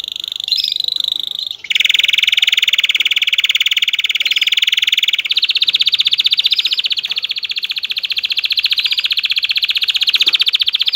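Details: Excited male canary singing to stimulate females to mate: long, rapid mechanical rolled trills, high and buzzy, switching abruptly to a lower and then a higher roll, each sustained several seconds without pause.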